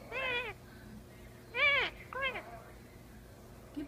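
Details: Talking Indian ringneck parakeet, an umbrella cockatoo also in the household, giving three clear, arched, nasal speech-like syllables about a second apart, each bending up then down, followed by quiet.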